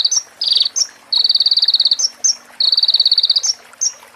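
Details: Crimson sunbird (konin) training song for cage birds, with prenjak and ciblek fills. Sharp, high chips alternate with two rapid, even, rattling trills of very high pulses, each lasting close to a second.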